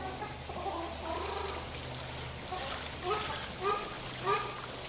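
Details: Captive white-naped crane bathing at Kobe Kachoen, Japan, gives short, soft honking notes, a few rising, spaced about half a second apart, over a steady low mechanical hum.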